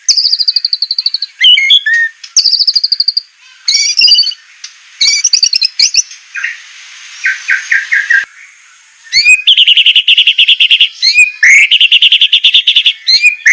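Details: Harsh, sharp-toned white-rumped shama song from a training recording for captive birds: high rapid trills, squawky broken notes, a series of short descending chirps, then long runs of fast buzzy repeated notes and rising whistles.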